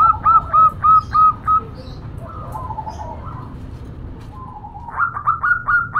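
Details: Zebra dove female calling for a male, local bird: five clear, evenly spaced hooked coos, a quieter murmuring stretch, then a fresh run of quick bouncing notes at the end.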